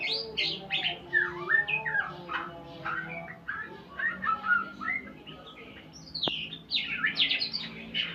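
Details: Murai pastol, a white-rumped shama, practising learned sounds: a long string of bright whistles and sharp chirps, many sweeping down, separated by brief pauses, with a faint low hum underneath.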